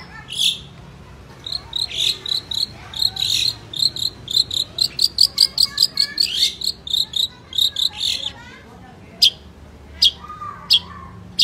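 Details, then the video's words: Long-tailed shrike in full vigorous song: fast strings of clipped, high ringing notes that run into a dense chattering stretch, then fewer, more spaced sharp notes and a short lower whistle near the end. "cendet gacor"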